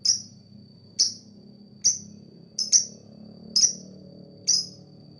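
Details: Lovebird, described as a fighter, calling to attract other birds: single sharp, high, downward-slurred chirps repeated about once a second, with a faint low hum behind.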